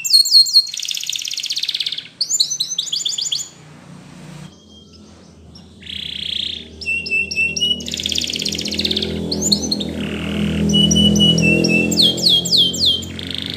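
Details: A Spanish Timbrado canary, used as a training song, sings a fast, high string of metallic trills, chirps and bubbling rolls, each phrase switching quickly to the next, over a low steady hum.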